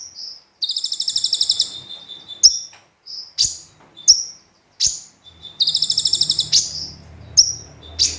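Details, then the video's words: Loud song of a brown-throated sunbird, called konin, with mimicry, recorded as a tutor recording: high pulsed trills separated by sharp downslurred chips, with a low hum underneath. "Konin Gacor Full Tembakan Kombinasi Gereja Sambung Cililin"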